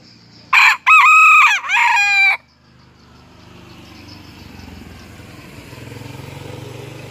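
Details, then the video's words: Morning crowing of a Serama jungle fowl rooster, out of its cage and perched on a hand; a loud, sharp, harmonic crow in three quick segments, then a low rumbling background. "Koko Ayam Hutan Serama Rajin Berkokok Pada Pagi Hari"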